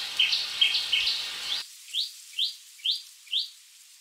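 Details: Chestnut-fronted Shrike-babbler giving a series of short, sharply upslurred high notes, about two per second, at first over a hissing background, then clearly against near silence.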